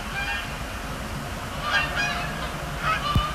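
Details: Several Canada geese calling on a Thursday night, 26 October 2017, at Sapsucker Woods Pond, Cornell Lab of Ornithology, amid fly-overs and landings: bursts of harsh honking in quick succession, then a brief click, with constant low background hum.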